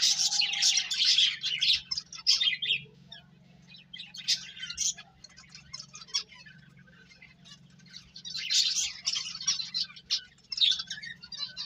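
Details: Finches eating and playing, heard as bursts of dense, high twittering chirps separated by quieter gaps, with a steady low hum in the background.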